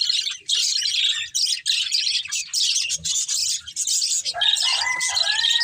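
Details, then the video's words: Budgerigars of a breeding pair in continuous scratchy chirping chatter, followed near the end by several clear rising whistled notes over the warble. "Colourful Budgies Chirping Sounds"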